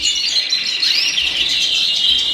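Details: Native finches in a birdroom in March, in full song before the breeding season, sing together in a dense, continuous twittering chorus of high, thin trills and chirps, several birds overlapping with no pauses.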